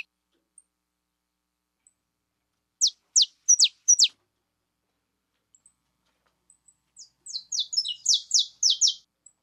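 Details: Female saffron finch (canário-da-terra fêmea) singing: a short run of four sharp, high descending chirps, a pause, then a faster burst of about ten buzzy, downward-slurred notes; otherwise quiet.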